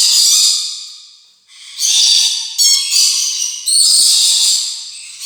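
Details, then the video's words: Rainbow lorikeet screeching in separate harsh bursts, a loud opening squawk fading out, then a pause before three more grating, buzzy outbursts. "PARROT CHATTER, 오색앵무새"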